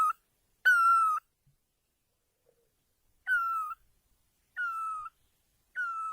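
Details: Loud, clear calls of a great barbet in Asia: drawn-out mellow notes that rise sharply and then droop, given singly with pauses of one to two seconds between them against near silence.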